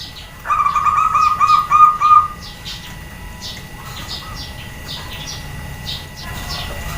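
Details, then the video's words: Female zebra dove calling to provoke males into answering: a single burst of rapid clipped notes for about two seconds, then quiet with faint chirps. "SUARA PERKUTUT BETINA, BIKIN PEJANTAN DAN OMBYOKAN SALING SAUT"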